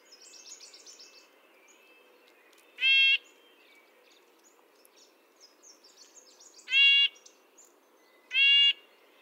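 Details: Red-breasted nuthatch calling three times, short nasal horn-like notes with long irregular pauses between them, while faint high twittering from other birds runs through the background.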